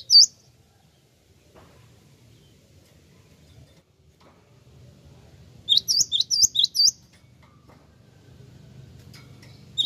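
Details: A single sharp chirp, then after a long pause a tight run of about six high, bright chirps from a Java sparrow, played as a lure to get answering calls.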